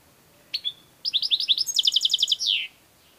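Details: Goldfinch song phrase: a couple of sharp introductory chips, then a quick series of rising buzzy notes giving way to a rapid, evenly repeated metallic trill and a final descending slur, all high and clear over quiet background.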